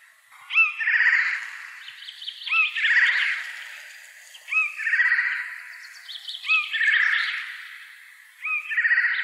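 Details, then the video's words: A Eurasian jay by day gives harsh, hoarse calls, each starting with a sharp hooked note, repeated roughly every two seconds with some overlapping rasping. "Eichelhäher am Tag"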